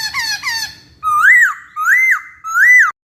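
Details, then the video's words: Laughingthrush singing on a tutor recording for training songbirds: two quick falling chirps followed by three loud, clear arched whistles spaced roughly two-thirds of a second apart. "Masteran Burung Poksay"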